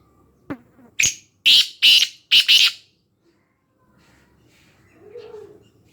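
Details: Black francolin recorded in Khushab: a loud harsh call of about five rasping, broadband notes in quick succession over roughly two seconds, followed by quiet background murmur.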